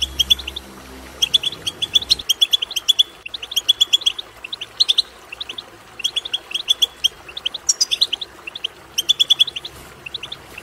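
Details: Twittering of European goldfinch played to urge goldfinches to sing: lively run of liquid chirps in repeated bursts every second or so, mixed with rasping buzzy notes, a low rumble at the start.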